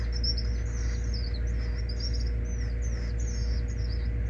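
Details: Gray kingbird nestling in rehabilitation care, found weak at a school and hand-fed hourly, giving continuous high thin squeaky chirps, some rising and some falling, over a steady low mechanical hum.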